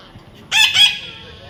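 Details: Baby parrot making a single loud, harsh double squawk, two quick rasping bursts close together, followed by quiet.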